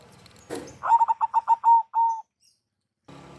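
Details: Local zebra dove lure call: after a sharp noisy burst, a quick run of short coos stretches into two longer notes, then background noise resumes.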